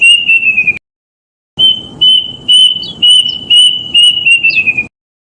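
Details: Lure recording of a wild plaintive cuckoo for trapping forest birds: a falling whistled phrase, a gap of under a second, then a run of high piping whistles that speed up and drop in pitch toward the close.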